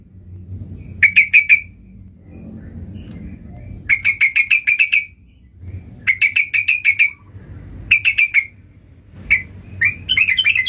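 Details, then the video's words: Sooty-headed bulbul calls used as a lure for trapping: bursts of rapid, bright chattering notes, about eight per burst, repeating every two seconds or so over a low background hum. "suara pancingan burung trucukan"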